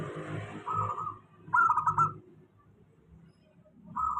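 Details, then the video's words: Local zebra dove used as a steady lure to stir doves that rarely sing: short bursts of rapid, stuttering, bubbling coo notes at mid pitch, three phrases separated by pauses, over a low rumbling background. "suara pancingan perkutut lokal. suara stabil cocok utk perkutut malas bunyi"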